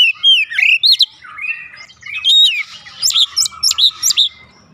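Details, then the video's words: Oriental magpie-robin singing, used as a lure to get other birds singing: varied loud whistled phrases, sharp upslurred and downslurred notes and short chirps in quick bursts, with brief quieter gaps. "pancingan Kacer langsung buka paruh GACOR"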